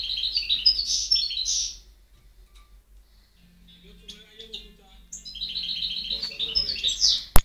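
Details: European goldfinch singing, recorded in 2010: bright, rapid twittering and tinkling trills, a pause with faint low sounds, then the twittering resumes, ending in a sharp click.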